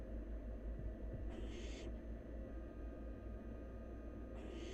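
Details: Barn owl nestling, wild, feeding on half a rabbit and gulping it down; one harsh breathy hiss lasting about half a second, then another beginning at the end, over constant low-pitched droning background.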